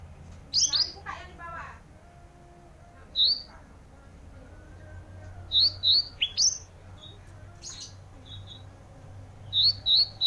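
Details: Olive-backed tailorbird in full voice for an isian filler track: scattered groups of two to three piercing, high downslurred notes separated by pauses, with some harsher mid-pitched notes early and a steady low hum.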